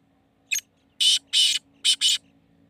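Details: A black francolin in Hyderabad, Pakistan gives a harsh, grating phrase: one short scratchy note, then four loud rasping notes in quick pairs over about two seconds; faint low hum behind.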